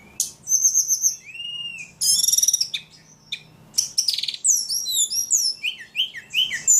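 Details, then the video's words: Ledekan bird in energetic, very vocal song: high whistled notes, rising and falling slurs, a brief buzzy trill, then rapid clusters of sharp chirps, all above a faint low hum. "Burung ledekan paling gacor"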